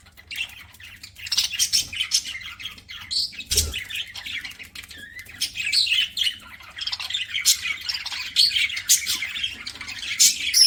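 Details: Pet budgerigars chirping while eating: a continuous busy chatter of high, scratchy warbles and short squawks, with a faint low hum underneath.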